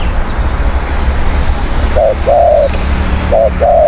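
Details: Decoy spotted dove, a strong, fierce cooer used to lure wild birds, begins cooing halfway through: two short notes each followed by a longer falling coo, over a steady low rumble.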